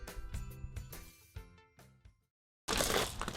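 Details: Plucked, piano-like music notes fade into a brief silence, then a burst of loud broadband noise, with no animal sound.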